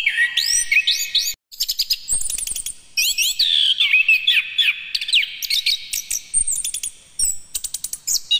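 Orange-headed Thrush giving a rich, varied song of fast whistled phrases, sweeping up-slurs and rapid chattering trills, high-pitched and continuous with barely a pause.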